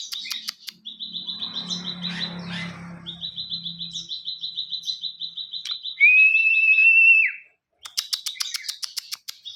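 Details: Ciwah in full song, used for tutoring other songbirds: bursts of sharp ticking clicks, long rapid rattling trills on a steady pitch, one loud sustained rising whistle, then more ticking bursts; a low hum underneath early on.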